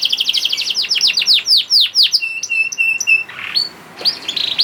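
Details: Juvenile canary singing to stimulate other caged canaries: a rapid burst of repeated notes slowing into falling slurs, then evenly spaced flat whistles, a rough squeaky phrase, and renewed high twitters.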